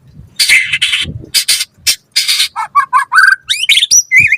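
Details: White-rumped shama in lively, full song used to prompt other birds to answer: harsh buzzy bursts at first, then quick rising whistled notes and slurred chirps, phrases changing every half second.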